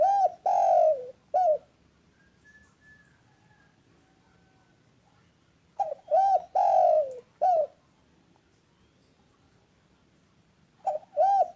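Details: Spotted dove repeating its cooing phrase three times, roughly every five seconds: short lead-in, arched coo, long falling coo, clipped final coo. Faint thin whistles in the quiet gaps between phrases.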